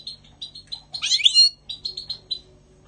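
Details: European goldfinch singing in spring 2020: a string of clipped high chirps broken by one rich, tangled burst of liquid twittering, then more rapid chips.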